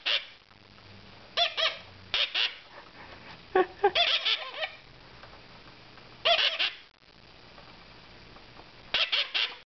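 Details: Moustached parakeets almost two months old, feeding themselves formula indoors in May, give harsh, raspy squawks in short bursts of two or three, a second or two apart, over a quiet hum.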